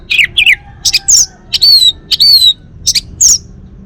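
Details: Male orange-headed thrush, Bali: quick downslurred chirps alternate with clear, slightly rising whistles held for about a third of a second, in a bright, high phrase.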